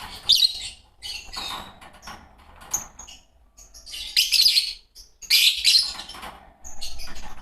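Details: Two green Fischer's lovebirds chatter in harsh, high squeaky bursts, loudest near the middle and end, with quieter scratchy notes in between.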